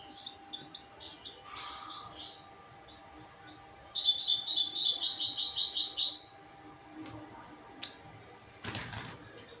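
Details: Young pied goldfinch x canary mules kept for tutoring another bird: faint scattered chirps, then a loud rapid twittering trill of close high notes lasting over two seconds, later a short burst of rustling or flapping.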